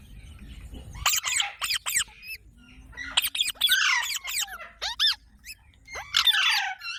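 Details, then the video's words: Parrot kept as a pet, mixing sharp clicks and thin falling squeaks with three rough, raspy squawk bursts spread irregularly over several seconds. "Funny Parrot Sound Videos | Parrot Sounds Videos Compilation"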